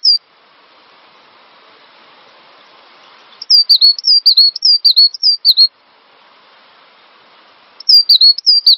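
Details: Cinereous tit master song used to coax other songbirds to sing: two bursts of quick, high, clear whistled couplets, each run lasting about two seconds, separated by a long near-silent gap with faint background hiss.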